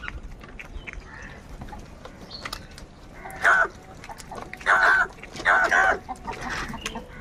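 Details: Crows, apparently squabbling over food, give three loud, harsh, rasping caws near the middle of the recording, each about half a second long. Fainter caws, scattered clicks and low background noise fill the gaps.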